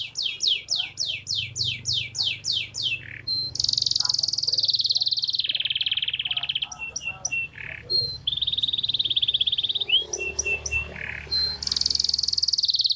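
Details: Canary singing from Comal, Pemalang, Central Java, Indonesia: a run of repeated sweeping high notes, then long buzzy trills and rolling tours shifting in pitch, with varied chirps between phrases.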